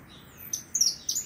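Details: Brief snippet of a saffron finch giving three high, thin chirped notes in about one second over a soft hiss.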